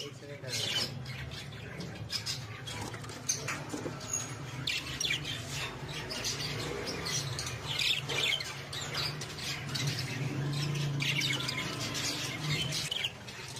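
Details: Black budgerigar in a home aviary, which the owner says cries like a human: busy stream of quick, scratchy chirps and warbles over a low steady hum.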